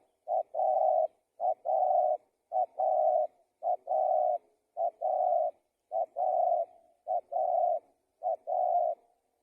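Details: Spotted dove cooing vigorously: paired short-then-long low hooted coos repeated steadily, about one phrase per second, clean with no other sounds.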